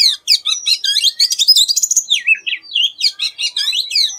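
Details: Oriental magpie-robin singing an unusual, atypical song: a rich, rapid jumble of high whistles, chirps and slurred notes, with a brief pause before sweeter falling phrases resume.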